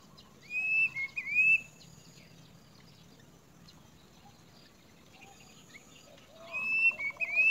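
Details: A great myna near its nest gives two short bursts of bright, warbling whistles, each about a second long, separated by a quiet pause, over faint background hiss.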